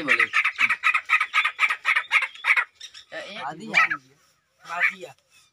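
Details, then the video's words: Male grey francolin calling to show his power to a female: a rapid run of harsh, ringing notes about four per second for over two seconds, then scattered squawky notes and a pause before one last call. "How Gray Francolin Find And Show His Power To Female Francolin By Making Call"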